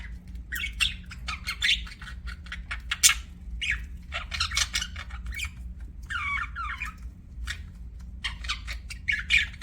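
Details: Budgies chirping in rapid clusters of sharp squeaks and scratchy warbles, with brief gaps between bursts and occasional downward-sliding whistled notes, a faint hum in the background.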